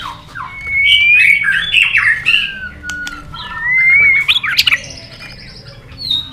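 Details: A white-rumped shama sings in contest, tail flicking, in long forest-style phrases: a rich warbled opening, a slow falling whistle, then a rising whistle that breaks into sharp high notes and a final thin whistle.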